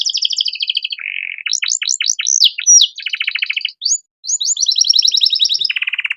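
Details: Canary singing an ornate master song for training young birds: a high rattling trill, a lower buzzy roll, steep falling notes, fast trills and a closing low buzz.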